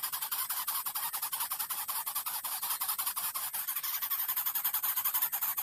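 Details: A baby greater coucal, hungry and begging for food, gives fast, harsh hissing rasps, about three a second, in a steady panting rhythm. A faint high whine runs in the background.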